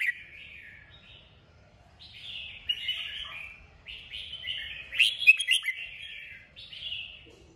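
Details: Red-whiskered bulbul singing a stimulating kích bổi song: a near-continuous run of bright, slurred whistled phrases, each dipping in pitch, with a sharp loud flourish in the middle.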